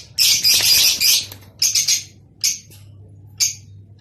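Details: Mating call of Rosy-faced and Fischer's lovebirds, meant to stimulate breeding: loud, harsh, high-pitched chattering in a long burst, followed by shorter squawky bursts spaced about a second apart, with a faint low hum behind.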